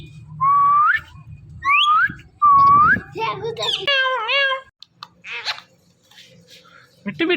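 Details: Indian ringneck parrot calling "Mithu" indoors: three loud, clear whistled notes, each rising sharply at its end, then rougher voice-like harmonic syllables and short fading squawks.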